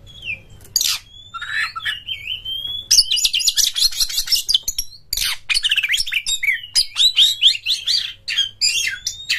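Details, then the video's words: Masteran of kacer, the Oriental magpie-robin, to make caged birds sing strongly: opens with separate clear whistles and sweeping notes, then breaks into long rapid twittering phrases. "masteran burung KACER mengGACORkan"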